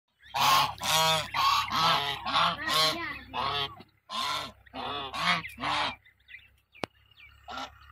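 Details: Angry ducks with ducklings in Pakistan: loud, harsh, nasal quacks in a rapid series of about two per second for six seconds, then quiet with a single sharp click and one last call.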